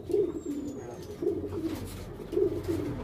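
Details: Barbary dove (puter), pelung type, kept as a pet: quiet paired coos recurring roughly once a second, low and muffled, with steady background noise.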